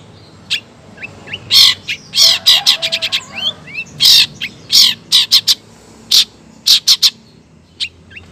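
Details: Female long-tailed shrike calling to a male: a lively mix of scratchy bursts, quick rattling notes and a few thin upslurred whistles, irregularly spaced.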